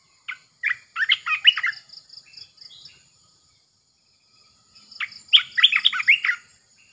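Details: Red-eyed bulbul kept in a cage as a decoy bird, delivering two bouts of quick, liquid warbled notes rising and falling, separated by a pause; steady high cricket trills run in the background.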